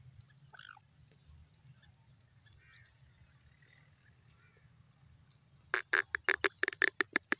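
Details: Grey francolin, known locally as Irani teetar, bursting into a loud run of harsh, clipped notes repeated several times a second after a quiet stretch with faint distant chirps.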